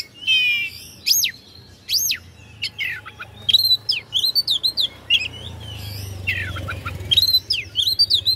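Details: Oriental magpie-robin song used as a lure to provoke rival birds: loud varied phrases of rising and falling whistles, sharp upsweeps and buzzy notes in quick bursts, with a low steady hum beneath.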